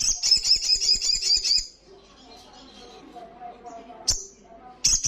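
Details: Olive-backed Sunbird in 'ngalas' song: a shrill, rapid high trill lasting under two seconds, then quiet murmur and short sharp chips.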